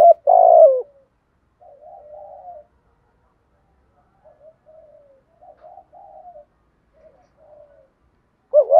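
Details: Spotted dove giving a full cooing sequence. It opens with one loud, deep coo, then several quiet, muffled coos spaced over the next seconds, and ends with another strong coo. There are no other sounds.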